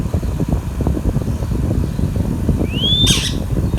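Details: Baby green Indian ringneck parakeet giving one clean upward-sweeping whistle, followed at once by a harsh, raspy squawk and a second brief squawk, over constant low background hum.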